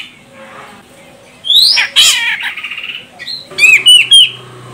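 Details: A female grey-cheeked bulbul from Medan, Sumatra gives calls meant to set a male singing: rising whistles and loud harsh squawks, brief chatter, then bright looping whistled notes ending in a level whistle.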